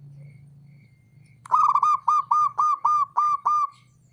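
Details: Male local zebra dove calling to provoke rivals into answering: after a second of quiet low hum, a loud clear series of eight evenly spaced, hollow cooing notes, each rising then dropping, about five per second.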